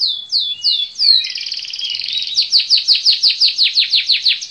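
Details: Canary repeats swooping downslurred notes, then a dense buzzy trill, then a steady series of sharp falling chirps, in a quiet setting.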